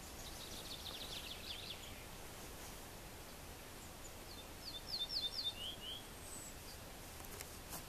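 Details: Ortolan bunting song from Västmanland: one brief burst of high, sharp notes repeated quickly and ending in a lower slurred note, faint against constant rustling background noise.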